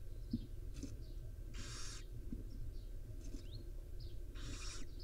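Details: Wild barn owl mother grooming her five owlets in the nest. Two long breathy screeching hisses come nearly three seconds apart, with light squeaks and faint clicks in between, over steady low droning noise.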